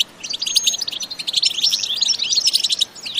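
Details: European goldfinch in an energetic batbata-style song, recorded without added sound effects: dense, rapid twittering of bright chirps and short trills that runs almost continuously with brief dips in loudness.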